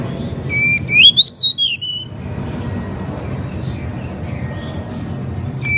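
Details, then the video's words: Pied bushchat, known locally as decu or kacer mini, singing energetically: one bright whistled phrase of rising and falling slurred notes lasting about a second, then steady low rumbling background noise. "Burung decu gacor | Kacer mini gacor | masteran burung decu"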